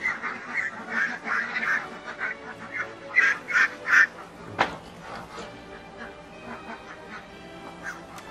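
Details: A nearly 8-week-old drake duckling gives hoarse, breathy attempted quacks in short clusters of two or three, weak and raspy rather than a full quack; this sad attempted quacking marks it as male.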